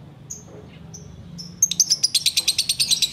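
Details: Sooty-headed bulbul in ngekek style, heard during the wait to break the fast. It opens with a few thin, separate whistles, then breaks into a rapid, evenly pulsed chatter of bright, sharp notes.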